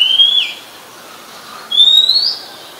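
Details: Oriental magpie-robin, a very common resident, singing at Ubon Ratchathani, Thailand, on 17 July 2021; two clear whistled phrases, the first level then dropping, the second rising, separated by a pause of over a second.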